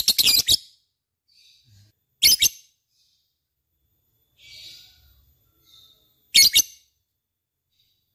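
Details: Lovebird in lively 'gacor' singing, intended as a prompting recording for other birds: short bursts of harsh, high chattering chirps at about two-second intervals, separated by near silence with faint soft sounds.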